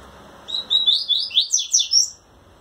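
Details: Caged Double-collared seedeater singing to a female while trembling its wings in courtship: a quick phrase of about seven bright, slurred whistled notes rising and tumbling high in pitch, lasting under two seconds, on a quiet background.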